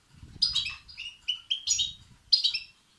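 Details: Goldfinch chicks begging, recorded to excite males: a busy chattering burst, then a few separate high chirps, then two more twittering bursts close together.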